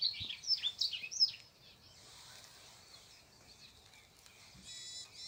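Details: Birds in a morning garden: a burst of quick high chirps and twittering phrases in the first second and a half, then quieter, with a faint buzzy insect-like trill near the end over low background noise.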